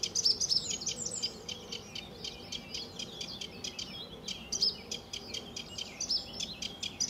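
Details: Sedge warbler at RSPB Fowlmere, early morning, July 2013, singing a quieter run of quick, scratchy chatter punctuated every second or so by brighter, sharper high notes.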